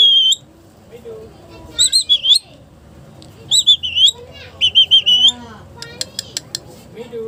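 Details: Wild parrot (mitthu) giving high whistled notes in short bursts of three or four, each note slightly bending, with faint background chatter and clicks between bursts.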